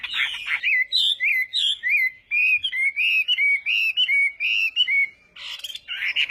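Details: Chinese hwamei practising its song in the morning, delivering a rapid series of short, rich whistled notes at a steady pitch, about three per second, ending with a couple of harsh scratchy bursts.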